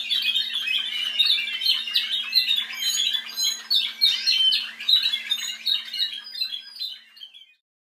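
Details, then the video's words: A team of Spanish Timbrado canaries, offspring of a 2012 Andalusian champion, sing together: a dense, continuous stream of metallic trills and chirps from several overlapping birds over a faint steady hum, fading out near the end. "Timbrado Español"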